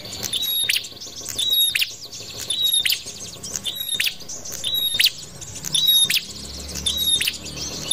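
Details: Trapping lure of a prinia: loud, high-pitched chirping bursts, each with a brief piercing whistle and clicky notes, repeated about every second in a steady rhythm.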